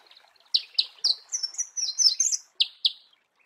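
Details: Marico sunbird in its natural habitat, singing high sharp chips followed by a jumbled, squeaky, rapid twitter, then two more sharp chips; quiet background.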